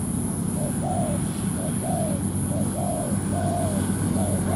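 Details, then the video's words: ['Spotted dove acting as a ground decoy, calling to bring a wary wild dove down to fight. Each phrase is a quick coo followed by a longer sliding crooo, spaced about a second apart, beneath strong low rumble and a steady high whine.'] "Bẫy chim cu gáy mồi đất"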